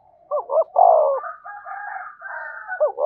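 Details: Spotted dove used as a decoy to excite a caged male: two short notes and a long falling coo, overlapped by a higher drawn-out call, then another short looping note at the end.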